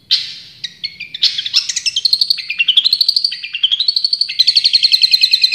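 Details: Champion Long-tailed shrike delivering tembakan song: scattered sharp whistles, then rapid trills that climb and level off, closing in a fast, regular, ringing rattle of high notes.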